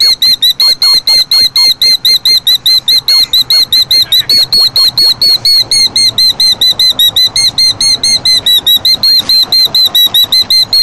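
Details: Killdeer nesting among rocks, agitated by a person near its eggs: loud, shrill, sharply inflected notes repeated rapidly and nonstop, a couple per second, piercing and insistent throughout.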